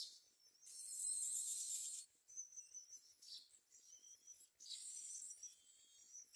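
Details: Myna, a parent bringing food such as crickets to its babies, with harsh, hissing, high-pitched rasps in bursts of about a second mixed with thin whistled notes and short quiet gaps between them.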